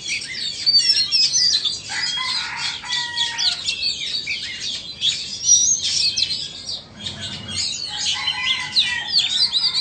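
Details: In a contest between a Vietnamese and an Indonesian Oriental magpie-robin, bright whistles, slurred notes and chattering trills tumble over one another, with brief pauses and a faint low thump around the seventh second.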